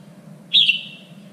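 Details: Single short, loud whistled note from a red-whiskered bulbul kept for contest singing practice, slurring slightly downward and fading out, over a low steady hum.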